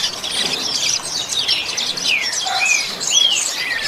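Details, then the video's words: Double-collared seedeater giving a 'chuva'-style training song: a dense, fast run of high chirps and trills, ending in a few clearer slurred whistles that rise and fall, with faint hiss behind. "COLEIRO CANTO CHUVA"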